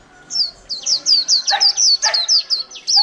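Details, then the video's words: Caged white-eye singing líu, kept more than a month after capture: a brisk string of clear, piercing, falling whistles, about a dozen notes, with brief lower chirps mixed in. "chim khyên víp mộc hơn tháng lồng cheo là líu hàng tuển"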